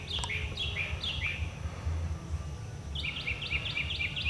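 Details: Northern Mockingbird at an electric pole in an upper garden, singing many different songs: a burst of repeated downslurred whistled notes, a pause of about a second and a half, then a faster series of sharp repeated chirps, over steady low rumble.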